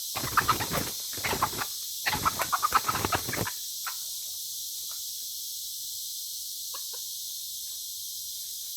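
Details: Aceh junglefowl, an F1 white-legged decoy bird, gives two harsh, rough crowing bursts in the first three and a half seconds. Quiet follows, with a few faint clicks over a steady high insect hiss.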